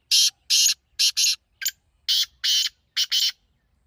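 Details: Rapid series of loud, raspy partridge notes, mostly in pairs of strident buzzing syllables separated by brief pauses, with a short sharper note midway; the background is quiet.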